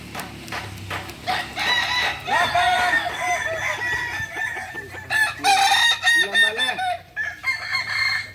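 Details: Balenggek roosters crow during contest practice in Ampang Kualo, Kota Solok. Repeated bursts of short stepped syllables overlap with loud peaks, and a person then counts aloud: twenty, nineteen, nineteen, nineteen.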